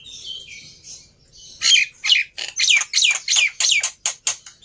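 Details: Black-winged myna lure song meant to coax a silent bird into singing: high whistles, then a fast run of harsh, squawky downslurred notes, roughly three per second, loud and bright.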